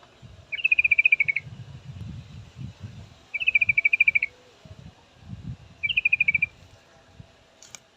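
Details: Female yellow-vented bulbul calling a male, three rapid rattling trills of bright chirps, each about a second long, over steady low background rumble and faint noise.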